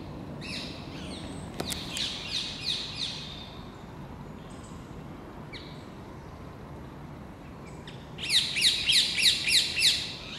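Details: Overexcited Rose-ringed Parakeets, about ten, surrounding a red squirrel in a row of plane trees at Versailles; a run of harsh screeches, a quieter gap, then a fast regular burst of about seven shrill squawks.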